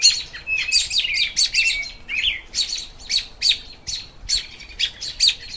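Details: Spring song of an American robin: a run of bright, high, slurred chirps grouped in short phrases roughly every half second to a second, steady and clear over a quiet outdoor setting.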